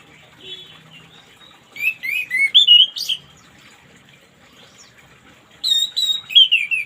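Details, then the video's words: Orange-headed thrush morning song as therapy for reluctant singers: a soft opening whistle, then a rapid sequence of varied, sliding whistled notes, a quiet gap, and a second descending phrase. "terapi burung anis merah macet di pagi hari biar cepat ngplong"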